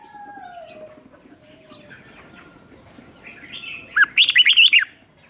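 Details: Lure red-whiskered bulbul, used to call wild birds in, gives a sudden burst of loud, lilting whistled notes near the end after a long stretch of soft background noise and faint distant calls.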